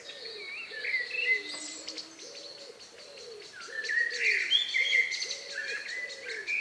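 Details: Last birds singing at dusk in the countryside, May 2020 around 9 p.m.; bright whistles and trills above, with a steady low repeated cooing note pulsing roughly twice a second beneath.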